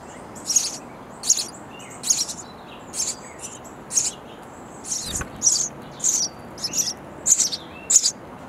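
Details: Hungry sparrow nestlings inside a nest box call for parents delivering insects: sharp, high-pitched chirping bursts repeat about every three-quarters of a second, with a brief thump midway.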